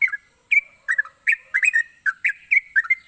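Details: Bright gacor song of a yellow-vented bulbul, meant to prompt sluggish bulbuls into singing: whistled, bubbling note pairs repeated roughly three times a second, clear and loud against a steady electronic whine.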